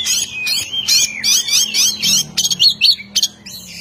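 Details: Energetic oriental magpie-robin singing to provoke a rival bird: a dense string of bright, chattering whistled notes, then clipped staccato chirps in rapid bursts, over a faint low background hum.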